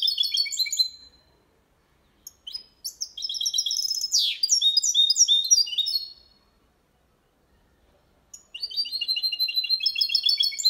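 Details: Hybrid of goldfinch and canary singing Malaga copy without errors, used to stimulate male goldfinches and hybrids; bursts of fast high twitters with a sharp downward sweep, pauses between phrases.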